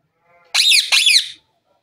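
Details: Pet Indian Ringneck parrot, dancing and talking, lets out two loud, harsh, bright squawks back to back, each with a sharp onset and a slight downward sweep.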